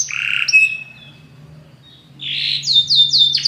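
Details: Belgian canary in strong song: a rough trill and a thin whistle, a short pause with a faint low hum, then rising notes and a series of rapid falling chips.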